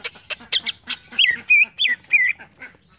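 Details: Green leafbird song in a quick mixed phrase of harsh squawky notes and looping whistled slurs, packed closely together.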